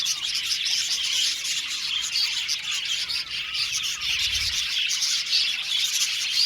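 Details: Australian budgerigars in an aviary colony, many birds chirping at once: a dense, continuous wash of high twittering and warbling chatter with short squeaky notes, steady throughout.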